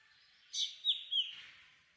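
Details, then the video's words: A black drongo (Dicrurus macrocercus) sings three quick, loud, high notes in a row: a rasping opening, then two clear whistled slurs, trailing into a softer fading whistle. Little else is audible. "Black Drongo Song ! Black Drongo Call ! Black Drongo Sound ! Black Drongo Vocals ! Voice ! Singing"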